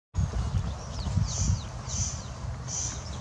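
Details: Corn crake calling: a few dry, rasping bursts spaced well under a second apart, faint above a strong, continuous low rumbling background noise.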